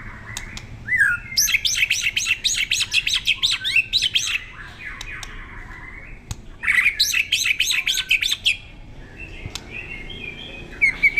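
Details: Competition-ready white-rumped shama in song: dense bursts of sharp high rattling notes in fast series, two long loud strophes separated by a quieter gap with thin whistles, ending in brief high phrases.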